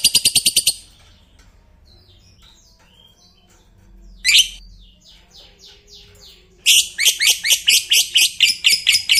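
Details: Long ngekek of a fighter lovebird, said to make other lovebirds sing along: a rapid rasping chatter opens, quieter twittering notes follow after a pause, then a loud fast harsh trill resumes and carries to the end.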